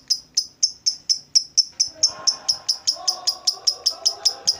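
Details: Kept lovebird repeating crisp, shrill single chips at an even pace of about four per second. Quiet lower murmuring comes in partway through.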